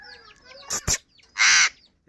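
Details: Raw or Kashmiri tota, an Alexandrine parakeet that talks: soft repeated downward-sliding notes, two sharp clicks, then a single loud, raspy, broad screech of about a third of a second.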